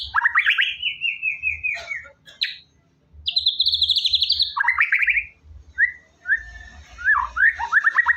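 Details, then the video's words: Vigorous white-rumped shama singing, played to get a quiet shama going: long sliding whistles falling in pitch, a high rattling trill, then short clear notes and quick twittering phrases, with little background noise. "MURAI BATU GACOR!!! ampuh buat burung murai batu males bunyi"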